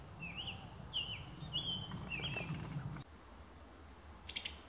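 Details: Male summer tanager in Alabama, 2019, giving short, slurred, robin-like song phrases in quick succession, with thin high notes from another bird and a low background rumble.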